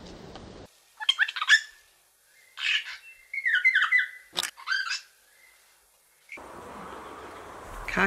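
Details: Kaka (Nestor meridionalis), a large endemic New Zealand forest parrot, gives four bursts of harsh, grating screeches mixed with clear whistled notes over about four seconds, then steady background hiss; recorded in New Zealand in 2019.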